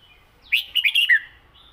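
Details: Red-whiskered bulbul giving a brief southern-style song phrase: a lively, gurgling run of about five clear warbled notes ending in a downslurred whistle, in quiet surroundings.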